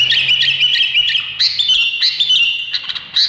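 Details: Indonesian bulbul repeating bright, slightly buzzy whistled phrases in quick succession, each lasting a fraction of a second, over a soft low hum.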